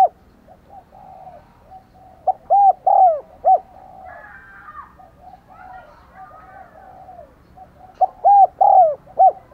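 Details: Luring wild doves, a decoy spotted dove repeats thúc gù and gáy gọi coos. Two clusters of strong arched coos frame a quieter middle with faint cooing and other bird chatter.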